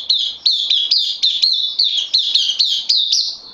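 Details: Bulbul kept caged, newly on loan, recorded 12 September 2020. A continuous rapid series of clear, high chirps with sharp onsets, about three per second, with no other sounds.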